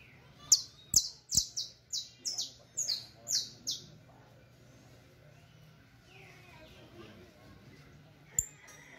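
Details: Song of a saffron finch meant for tutoring: a brisk run of about nine bright, descending chip notes over four seconds, then near silence and one last chip.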